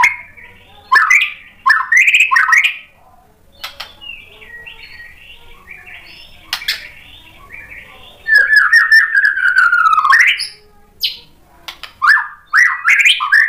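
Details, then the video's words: White-rumped shama singing to stir other shamas, with separate bursts of looping whistled notes divided by quiet pauses and a long cascade of descending slurred whistles in the middle. "MURAI BATU GACOR memancing EMOSI jadi BUNYI NYAUT BONGKAR MATERI ISIAN | PANCINGAN MURAI batu"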